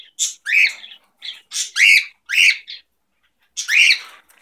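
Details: Two pet cockatiels at home during their morning routine repeat loud, rasping squawks that rise then fall, about two every second, with a brief pause before a last drawn-out call.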